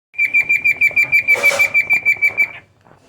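A cockatiel gives a rapid string of clear, same-pitched whistled notes, about six each second.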